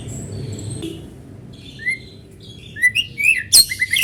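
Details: White-rumped shama song used as a lure for other shamas: faint thin whistles at first, then a rising run of quick chirps and bright whistled notes ending in a loud sharp burst.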